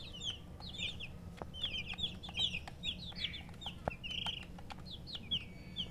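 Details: Several domestic chicken chicks give high, short chirps, often in quick pairs or runs of falling notes, continuing throughout with faint background hum and occasional clicks.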